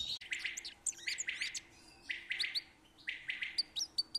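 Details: Goldfinches (Carduelis) singing in spring: bright, liquid twittering phrases of quick chirps and tinkling trills, arranged in short bursts separated by brief pauses, with a faint steady hum beneath.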